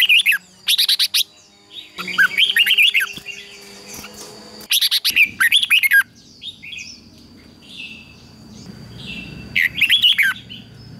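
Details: Red-whiskered bulbul in competition song, a training lure: repeated bursts of loud warbling phrases with rapid chirps, softer twittering between them, and a thin steady tone in the background.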